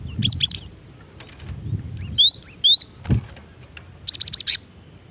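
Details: Lure call of a female cinereous tit meant to draw other birds: clusters of high, thin, slurred whistles in three to four note bursts, with brief low thumps between them.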